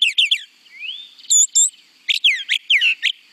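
A Brown Thrasher sings quick, varied whistled and buzzy phrases, high and clear, with several phrases given in pairs. No other sounds intrude.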